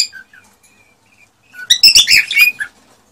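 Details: Male cockatiel song used to stimulate a female to mate. A few faint soft whistles open, then a dense burst of scratchy chatter mixed with short whistled notes lasts about a second.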